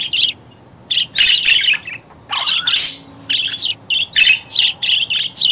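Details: Budgerigar warbling in rapid, grating chirps and squeaky fragments, a short quiet gap before the chatter resumes in choppy bursts.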